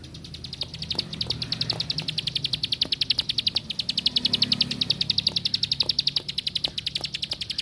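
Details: A plain prinia delivers a long, unbroken run of sharp, high, metallic ticks at about four per second, swelling slightly in the middle, over soft low ambient noise.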